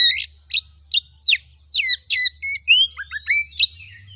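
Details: Oriental magpie-robin (kacer) song played as a provoking lure for kacer: steeply falling whistled notes spaced about half a second apart, then a faster tumble of rising and falling whistles, over a faint low steady hum.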